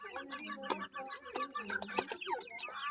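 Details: Grey francolin chicks feeding, a continuous jumble of high, sliding peeps and short chirps punctuated by clicks.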